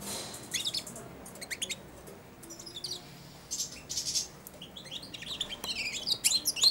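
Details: Caged juvenile European goldfinch, aged four months, starting to practise subsong while perched on or next to a feeding hand; bright, high, rapid twittering phrases broken by short pauses, growing livelier near the end.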